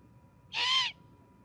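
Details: Osprey at a nest in Charlo, Montana, an adult female with her chick, 26 September 2021: a single loud, arched, whistled cry of about half a second, rising then falling, over a low steady hum.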